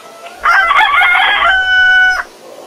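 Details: A rooster crows at dawn, one strong crow lasting under two seconds: broken, raspy opening notes, then a smooth sustained tone that ends abruptly, over a low background hum.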